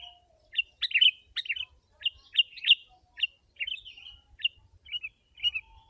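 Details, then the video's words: A busy, ongoing sequence from a sooty-headed bulbul, sung densely to lure wild birds: jumbled chattering phrases and bright warbled notes follow one another closely, with a faint low whistle early on. "Kutilang si.ladusing super gacor suara rapat menekan burung liar"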